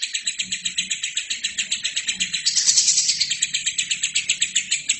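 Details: Lovebird singing gacor as a master for other birds: rhythmic, high-pitched chattering notes at about four per second, continuous and strong, peaking briefly in loudness mid-way.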